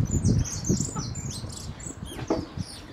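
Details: European goldfinch, a young bird called a pintón, singing in bad weather: quick high twittering and tinkling notes in short bursts, over heavy low rumbling wind-like noise.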